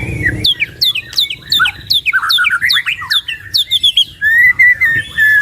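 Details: Two caged white-rumped shamas sing to lure and train songbirds: a regular run of sharp downward-swept whistles, about two per second, ending in a steady wavering high whistle.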